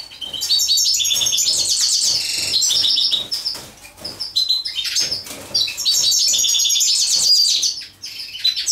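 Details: A European goldfinch sings while mating: rapid runs of high, metallic twittering and buzzy trills in two long bursts separated by a quieter gap.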